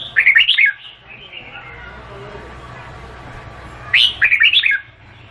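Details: A Vietnamese red-whiskered bulbul gives two clear, loud warbled phrases of quick up-and-down whistled notes, separated by about three seconds of quiet with a low background hum.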